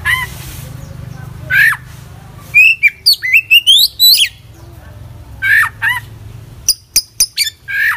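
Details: Oriental magpie-robin (kacer) singing vigorously in full isian style: slurred whistles, a fast cascade of varied sharp chirps, then more downslurred whistles and several clicking ticks, low hum in the background.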